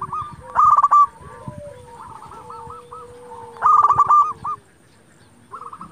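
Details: Zebra dove of local stock singing strongly to goad rivals into replying: two loud bursts of fast, clipped cooing notes three seconds apart, with quieter coo series and a low drawn-out tone from another dove in between.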